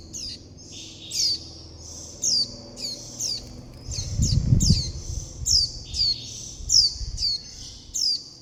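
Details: Food-begging calls of juvenile warbling white-eyes calling their mother and flock. Steady run of shrill, downward-sweeping high chirps, with a brief low rumble partway through.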